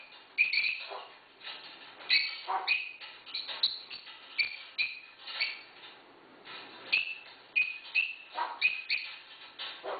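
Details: Pet African grey parrot copying the barking of the household's six dogs, giving repeated short, husky barks and yelps interspersed with higher squeals against steady room noise.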